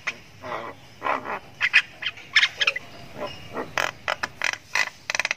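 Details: Javan myna chick, called jalak kebo sultan, giving long ngriwik chirping while learning to make sounds; harsh raspy bursts of uneven length come at irregular intervals with short gaps between them.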